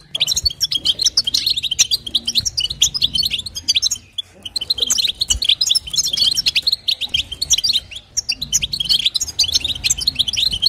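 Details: European goldfinch female calling to stimulate the male, energetic chattering twitters in clustered phrases with a couple of brief silences, bright high notes and a low background hum.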